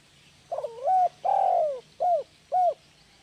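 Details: Spotted dove calling, a recording used to stimulate lazy pet doves to call: low soft coos, a wavering opening phrase, a long drawn coo, then two short rounded coos about half a second apart.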